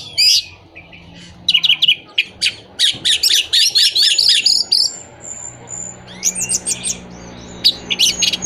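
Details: Orange-headed thrush song used as a lure to stir moulting, silent or non-breeding birds: dense bursts of rapid, sharp, high chattering phrases, varied and tumbling, with brief pauses and a thin drawn-out whistle midway.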